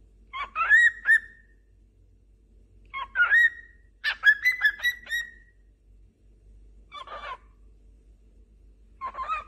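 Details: Cockatiels singing and calling to one another: loud whistled phrases of rising and falling notes come in separate bursts with quiet gaps between them, the longest run lasting about a second and a half.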